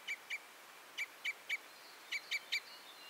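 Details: Common Crossbill, the Red Crossbill: crisp 'kip' notes spaced irregularly, two early, three evenly in the middle, then a fast triplet near the end, over a soft hiss.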